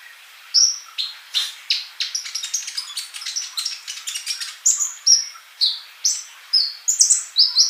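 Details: Male sunbird singing busily, used as a tutor song for young birds that are still silent: rapid bursts of high, thin chirps and short sharp whistled notes, some sliding downward, repeated in quick succession with brief pauses.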